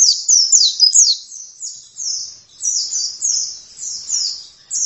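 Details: Oriental white-eye singing vigorously, said to start within a minute: rapid high, thin twittering of downslurred chirps, about three or four a second, in bursts separated by short pauses, with a quiet background.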